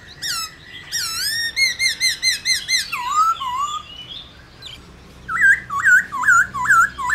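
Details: Black-throated laughingthrush (Pterorhinus chinensis), song: stimulating other laughingthrushes to sing.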